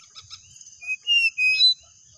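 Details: Pied bushchat among three singing 'ngeplon' at home as if at a contest: a few faint ticks, then three clear whistled notes, each a little higher and longer, over a constant high-pitched whine.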